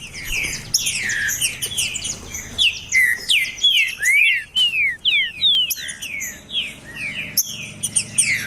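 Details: Green-winged saltator, the trinca-ferro, singing to rouse a cold bird: dense tumbling whistles at first, then distinct sharp descending slurs spaced about twice a second, faint hum behind.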